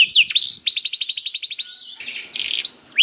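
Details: Canary song used to get other canaries singing: quick rolled trill of evenly spaced notes, a short pause, then a buzzy warble and a clear rising whistle.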